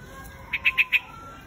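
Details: Quạch mốc, a white-headed bird, calls to gather its flock: a brief burst of four clipped, bright chirps in quick succession, with faint background hiss.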